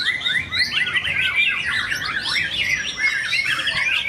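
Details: Murai batu, the white-rumped shama, performing at a contest stand; a continuous, varied, rich whistled song of rapid rising and falling notes, with rival birds singing faintly behind.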